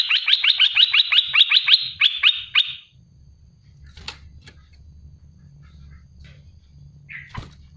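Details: Olive-winged bulbul (merbah belukar, cucak lumut) giving a 'tembakan pedas' rapid shot of song: about a dozen loud, evenly spaced chipping notes in under three seconds, then quieter scattered clicks and one short call over a low hum.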